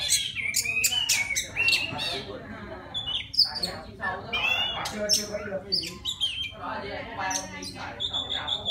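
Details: A wild white-rumped shama sings to attract a female, its phrases dense and harsh, with rasping chatter, buzzy notes and a few high whistles tumbling together almost without break.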